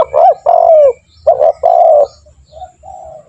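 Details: A strongly calling spotted dove, used as a training lure so other doves call sooner, gives two cooing phrases, each a short hooked note and a longer sliding coo. Softer, quieter coos follow at the end.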